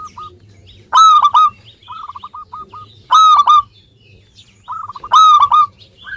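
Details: Local zebra dove in full song, meant to prompt idle doves to sing: loud clustered ringing notes about every two seconds, with softer rolling trills between them.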